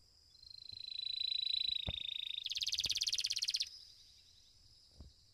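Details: Belgian canary, a domestic bird entered in a singing competition, delivering a sustained high whistled note that breaks into a fast, even buzzy trill near the middle, then stops; a few soft knocks in the background.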